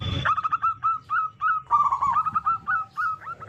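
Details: Local zebra dove singing loudly as a lure to set off other zebra doves: a fast, steady string of short upslurred coo notes with a brief burry trill midway, following a short thump at the start.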